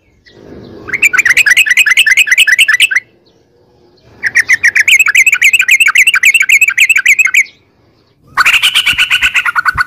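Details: Sooty-headed bulbul in the long 'ropel' style, meant to prompt caged birds into song: long rattling runs of quick, buzzy repeated notes lasting up to three seconds, separated by short pauses, with a faint low hum between.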